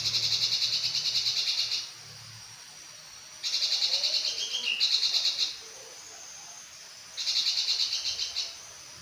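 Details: Grey-cheeked bulbul (berinji kelabu) singing actively: high, buzzy, rapidly pulsed trills delivered in bursts of about two seconds, separated by short pauses, three bursts in all, over a quiet background.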